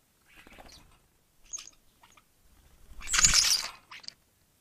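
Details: A sparrow at a feeding station in a year of abundant young, after a cold wet spring, gives a few scattered short high chirps, then one loud harsh burst and a final brief chirp over about four seconds.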